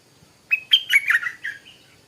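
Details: Stripe-throated bulbul singing in the morning: a short burst of bright, liquid notes, starting with a level whistle and then tumbling through quick warbled syllables that drop lower, about 1.3 seconds long, in a quiet setting.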